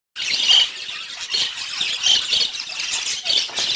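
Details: Pet budgerigars in the morning: a dense, continuous chatter of high, scratchy chirps and squeaky warbles that swell and fade in bursts roughly every second, with no other clear sounds.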